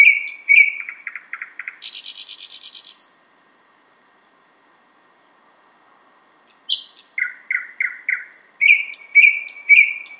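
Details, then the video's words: Thrush nightingale singing outside a window in Finland, far north of its usual range: loud varied phrases of dry rattles, a harsh buzzy burst, a thin pure whistle, then runs of repeated falling notes after a pause. "Thrush Nightingale (sound recording)"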